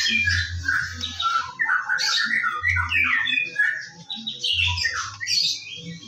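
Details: White-rumped shama singing in the morning as a lure to make birds sing: dense, varied bursts of whistles, squeaky notes and chattering trills, with a throbbing low hum at intervals.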